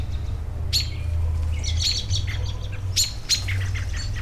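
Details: Outdoor birds give harsh squawky bursts and scattered high chirps, with two loud sharp calls close together near the end, over a persistent low background rumble.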